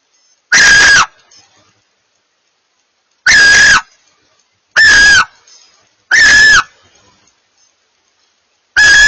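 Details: Two barn owls calling to each other, a pair in exchange: five rasping, breathy screeches, each under a second, spaced irregularly with quiet pauses, one faint squeak in between.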